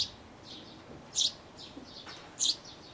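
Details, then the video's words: Fledgling-age sparrow chicks in a birdhouse, recorded 12 May 2012 on an Everio camcorder: two sharp, very high chirps about 1.2 seconds apart over soft, thin peeping. "巣立ち間近の雀のヒナ The young sparrow in birdhouse"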